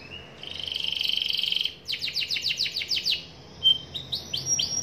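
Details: Young canary singing in the 'gacor ngerol' style: a steady buzzy rolling trill, then a quick run of sharp descending chirps, then a pause before short whistles and upward sweeps.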